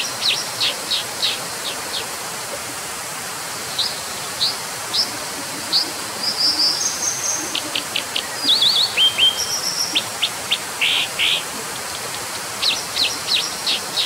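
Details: Brown dipper (Cinclus pallasii) singing a long, varied sequence of sharp high ticks, brief trills, thin whistles and a pair of harsh buzzy notes, over continuous rushing background noise.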